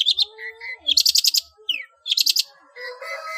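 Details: Long-tailed shrike performing its 'ngeplong' song rich in fill-in phrases, used to tutor caged songbirds. Harsh rapid rattles alternate with short whistles and a descending slurred note. A faint low hum sits underneath.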